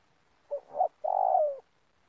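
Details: Spotted dove calling at an oil palm plantation where the bird is being lured for trapping: two short hollow coos followed by a longer drawn-out coo that slides downward at the end. The setting is otherwise quiet.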